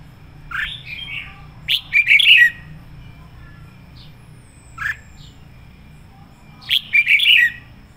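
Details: Decoy red-whiskered bulbul singing at full strength: short bursts of chirpy, warbled notes come every two to three seconds, with quiet gaps and a low background hum between them.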